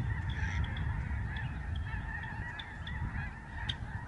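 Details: Huge flock of Lesser Snow Geese in the sky over the George C. Reifel Migratory Bird Sanctuary, Canada, November 2011; a dense, continuous chorus of overlapping nasal honks over a strong low rumble of wind.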